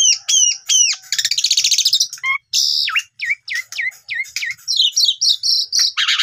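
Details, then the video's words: An Asian pied starling (jalak suren) gives a varied song used as a lure to make other birds sing: looping whistles, a buzzy rattling chatter, sharp down-slurred whistles about three a second, then high jumbled notes. "Jalak Suren Paud Macet Tidak Mau Bunyi Langsung Gacor"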